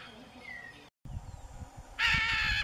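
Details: Wild macaw in Brazil, Pantanal or Amazon, 2016–2017, giving one long, loud, grating screech near the end after a brief dropout in sound and low background rumble.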